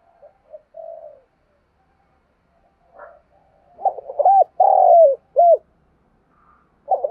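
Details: Spotted dove from Đồng Nai, Vietnam, cooing and calling as a lure for other birds: scattered soft low notes first, then one loud phrase of a stuttered start, a hooked rising coo, a long falling note and a short arched coo, with another starting.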